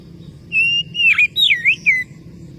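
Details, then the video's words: Oriental magpie-robin calling a rival with a short phrase: a level whistle, a brief wavering note, then two or three looping slurred whistles falling away at the end. "suara burung Kacer memanggil lawan pasti langsung nyaut"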